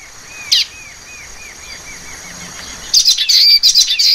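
Common waxbill gives a quick run of soft, arched chip notes, about four a second, then a burst of sharper, higher twittering. A thin, steady high hiss runs underneath.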